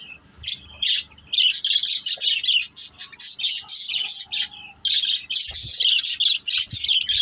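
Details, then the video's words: Several pet budgerigars at play chatter almost without pause. Rapid, buzzy, high-pitched twittering and harsh squawks come in quick runs, broken now and then by brief quiet spells. "Beautiful Budgies Chirping Sounds"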